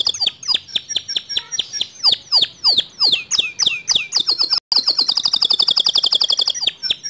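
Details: White male canary in long standard song, giving a run of sharp descending whistled chips, then after a brief pause a fast, even, high rattling trill.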